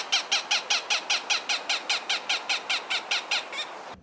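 A Cooper's Hawk gives a harsh, evenly paced series of cack notes, about two and a half per second, sixteen in a row, with no other sounds.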